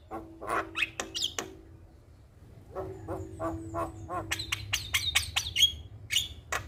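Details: Javan myna in persistent gacor song, played as a trigger for stressed mynas: scattered sharp clicks and harsh notes, then a short pause, then a rapid series of high whistled and chattering notes, with a low hum beneath.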